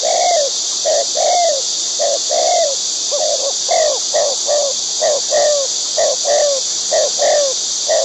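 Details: A wild white-breasted waterhen feeding its chicks gives a rapid, uneven chain of short, low, descending croaks, about one a second, over a constant high-pitched hiss.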